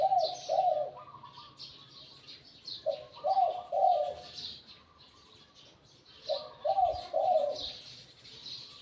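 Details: Decoy spotted dove, caught in the wild, with a voice rated medium to large. It coos three phrases of low, mellow notes about every three seconds, with other birds twittering high in the background.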